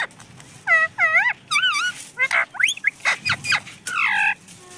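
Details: Pet parrot said to speak the words mummy papa, giving a rapid series of short, loud, harmonic-rich calls with wavering, rising and falling tones, some squawky, over about four seconds against quiet room noise.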